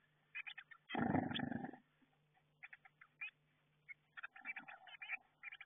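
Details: Eurasian blue tit chicks inside a garden nestbox, getting ready to fledge, recorded by a nestbox camera: clusters of short, scratchy, repeated notes, broken by a loud muffled rustling burst, probably chicks shuffling in the box.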